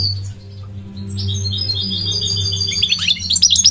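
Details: Goldfinch beginning to sing: a few thin, drawn-out high whistles, then a quickening burst of sharp twitters at the end, with a low hum throughout.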